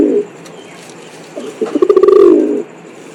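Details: Pigeon cooing: a brief low coo opens, then after a pause comes a louder, throbbing, rolling coo with rapid pulses that swells and ends abruptly, followed by quiet.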